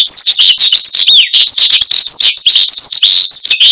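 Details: High, rapid song of a persistently singing Horsfield's bush lark kept as a cage bird, for luring and tutoring: busy chirps and trills with one clear descending whistle near the middle.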